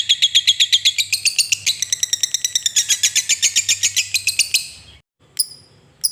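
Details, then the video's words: Long ngekek chatter from a lovebird, meant to stir other lovebirds into singing; fast, harsh, high chirps in a steady rattling run that slows slightly before cutting off, then two short sharp notes. "Suara Lovebird Ngekek Panjang paling AMPUH buat pancingan labet malas bunyi jadi GACOR"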